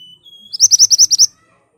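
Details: Ashy tailorbird singing sharply, recorded as a lure to make birds respond: a faint thin whistle, then a loud rapid series of about seven crisp, high, clipped notes.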